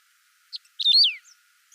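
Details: A single saffron finch song phrase, recorded clean and unedited: a short chip, then a rapid burst of notes ending in a long bright slur dropping steeply in pitch.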